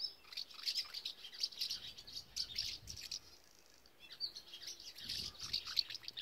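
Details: Nest-building, breeding common house martins at the Dollard visitor centre, Groningen, Netherlands, 8 April 2017: dry, high chirruping twitters in short bursts every second or so, with a brief lull midway, over a faint low rumble.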